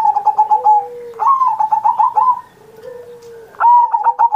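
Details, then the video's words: Zebra dove singing as a master recording to draw song from other pet doves: runs of rapid rolling coo pulses, interrupted by a lower, drawn-out coo from a second dove, then a fresh bright burst. "Perkutut Masteran Manggung Gacor Mancing Burung Lain"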